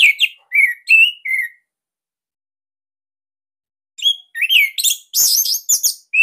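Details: Captive orange-headed thrush singing, offered as master material to encourage young or silent birds to sing. Slurred whistled notes are followed by a pause, then a burst of fast, varied, sharp high phrases.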